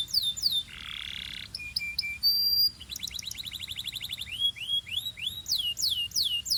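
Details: Belgian canary song: quick slurred sweeps, a harsh buzzy section, short clipped notes and a bright sustained whistle, then fast rolling trills and repeated curving notes.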